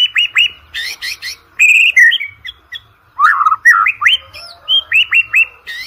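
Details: Energetic white-rumped shama song for training contest birds: repeated hooked, rising whistles interspersed with sharp harsh chattering blocks and brief pauses, then a run of bright upslurred whistles.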